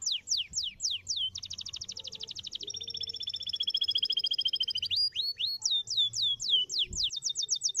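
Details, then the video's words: Canary singing: fast series of downward-sweeping whistled notes, then a long rapid trill of repeated high notes, followed by more swooping whistles; faint low hum in the background. "kenari mana yang gak nyautt bunyi dengar kenari ini"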